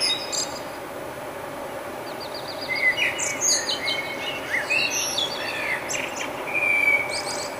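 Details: Nightingale singing its morning song in Budapest, Hungary, in May 2009, recorded on a compact camera: varied phrases of clear whistles, rising slurs and sharp high notes over a steady low hiss.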